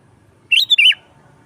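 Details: Lively sooty-headed bulbul used as a lure for wild birds, giving a single bright phrase: a rising whistled note joined to a wavering, dropping flourish, with a faint low hum beneath.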